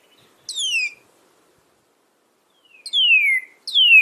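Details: Northern cardinal giving clear, separate whistles that start high and glide smoothly downward, three of them spaced by pauses, with silence between.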